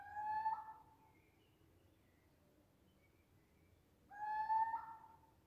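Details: Night call of a Eurasian scops owl recorded by smartphone: two brief, clear whistled notes about four seconds apart, each slightly bending, with quiet low rumble between them.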